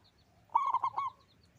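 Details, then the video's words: A loud local zebra dove gives one short bubbling phrase of four rapid, rolling coos lasting about half a second. Faint high chirps from other birds are heard around it. "Perkutut lokal gacor suara besar"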